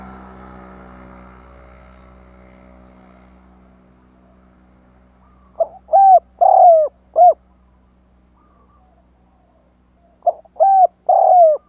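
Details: Spotted dove cooing to lure wild doves: a low humming drone fades over the first seconds, then two cooing phrases of four notes each follow about four seconds apart.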